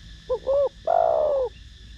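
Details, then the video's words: Spotted dove singing in the "thổ đồng" voice, used to stimulate other doves: two short low hoots followed by one long, steady, slightly falling coo, clear and close against a faint background hum. "Cu gáy Gù,Thúc giọng THỔ ĐỒNG kích mồi tập bổi rất hiệu quả"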